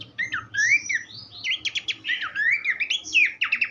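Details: Horsfield's babbler, recorded as a tutor song for cage birds: flowing slurred whistles broken up by quick bursts of short repeated notes, sung almost without pause.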